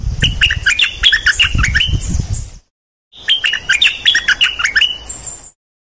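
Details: Decoy bulbul, one of three kept birds, producing two long bursts of fast chattering chirps with rumbling low noise beneath the first burst.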